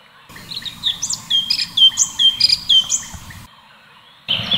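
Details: Full tembakan song of the cucak cungkok, or orange-bellied leafbird: a steady series of downslurred whistles mixed with sharp high chirps, about two a second, then a pause and a brief noisy burst.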